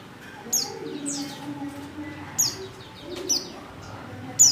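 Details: Female white-eye in breeding condition calling to a male: a few high, thin falling notes separated by pauses, over a faint low hum.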